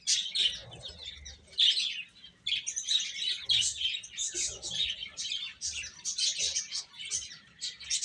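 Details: A group of chicks chirps steadily while eating, with rapid high-pitched peeps overlapping continuously and short pauses between loud clusters.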